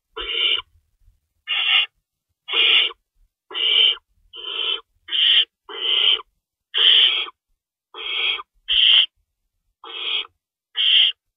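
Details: Nesting owl at night, 3:53 AM, March 25, 2012, at feeding time with two rabbits stored in the nest; a steady run of rough, breathy screeches, each about half a second, repeated every second or so with quiet gaps.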